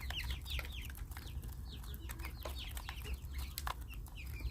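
Guineafowl giving rapid, harsh chattering notes, a stream of scratchy chirps repeated several times a second, over a steady low rumble.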